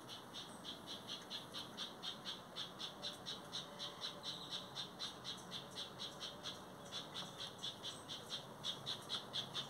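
A house wren gives harsh, buzzy notes, about two each second, in a steady chattering run over soft background hiss.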